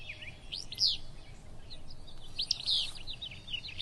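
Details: On a cool morning at the Kern River Preserve, a Willow Flycatcher, a riverside-nesting species, gives its sneezy, burry two-part "fitz-bew" twice, about two seconds apart, amid soft high chips and a low background rumble.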